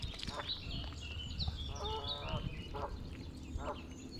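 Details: Mallard (Anas platyrhynchos) ducklings in the sun, Longton Park, Stoke-on-Trent, 30 April 2022: busy chorus of thin, high, overlapping peeps with a few lower nasal quacking notes and a steady low rumble beneath.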